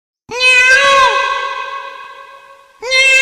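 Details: Peacock giving a loud, cat-like wailing cry, rich in stacked harmonics, that rises, holds and slowly fades over about two seconds before a second strong cry starts abruptly at the end.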